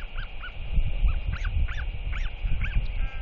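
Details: A 121-day-old royal albatross chick, named SP, begs from a neighbouring adult resting at its nest, which answers with warning clacks, on 21 May 2023: short, nasal, arched notes, two or three a second, over heavy wind rumble.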